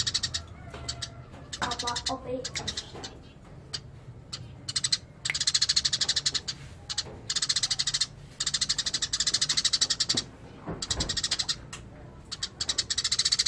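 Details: Eurasian tree sparrow, natural chattering song in the ngerol style: bursts of rapid, buzzy high chirps lasting one to two seconds, separated by short pauses, with a faint low hum underneath.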